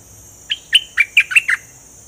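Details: Bulbul with its plumage fully grown in, singing in the 'double' style: a quick phrase of six clear, downslurred whistled notes within about one second, over a steady high-pitched hiss.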